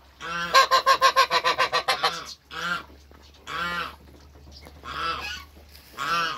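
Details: Toulouse goose mother in a backyard with newly hatched goslings on their first day. A fast rattling run of about twelve clipped honks leads into four longer, spaced honks, over a low steady hum.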